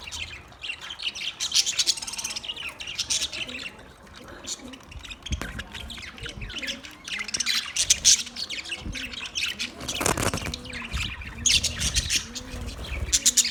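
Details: Steady warbling chatter of budgerigars, full of rapid high chirps and raspy squawks that overlap continuously, with soft low background noise.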